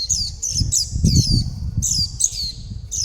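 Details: Young white-eye calling mother and flock while begging for food: high, thin falling calls in quick succession over low thumping and rustling noise.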